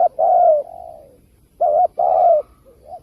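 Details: Spotted dove giving a 'kích bổi' call used with speakers to lure wild doves for trapping; low hollow coos, a short clipped note followed by a longer, slightly falling coo, with a softer trailing coo between phrases.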